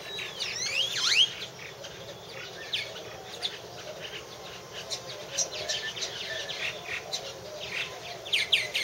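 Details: Purple martins around their nest house, recorded in 2014: a loud swooping, gurgled phrase opens, followed by scattered chirps and creaky twitters from several birds against a soft hiss.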